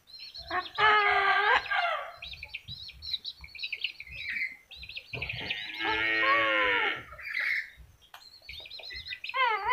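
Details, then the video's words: Speech-like mimicry from a yellow-crested cockatoo, mixing buzzy harsh passages with clearer voiced, vowel-like phrases and a rising whistled sweep at the end. "kakatua jambul kuning bisa bicara"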